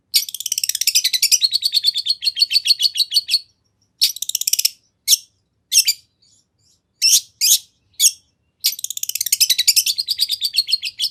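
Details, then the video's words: Long-tailed shrike singing a varied fill-in-rich song meant to lure other shrikes to respond: long bursts of rapid, scratchy trilled notes broken by short harsh buzzes, then the fast trill resumes. "Kicau Cendet Gacor Full Isian Nagen! Ampuh Dijadikan Pancingan Agar Cendet Langsung Nyaut"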